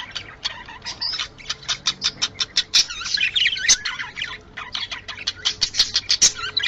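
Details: Budgerigar mating sounds to bring birds into breeding condition: a quick series of sharp, scratchy chirps, about three per second, with a denser warbled stretch in the middle.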